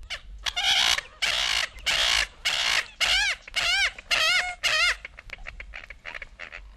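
American Coot giving a series of harsh, nasal clucks and honking notes, some with a rising-falling wobble, about two per second.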